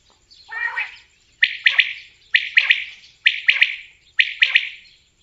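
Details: Common quail: a low, throaty grating note first, then five sharp triple-noted calls spaced about a second apart, each ending in a fading buzz.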